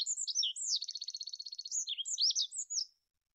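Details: Olive-backed pipit master recording for training cage birds: high chirps, then a rapid buzzy trill of many quick pulses, followed by sweet slurred notes and silence.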